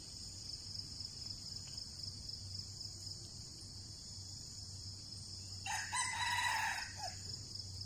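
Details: A wild red junglefowl, during decoy trapping in which two birds were caught after fierce fighting, gives one short, clipped crow lasting about a second near the end, over a constant high insect drone and a low hum.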